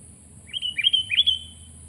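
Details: A sooty-headed bulbul sings three rising, mellow whistles with short slurred lead-ins. The phrase spans roughly a second and is loud and clean against a low background hum.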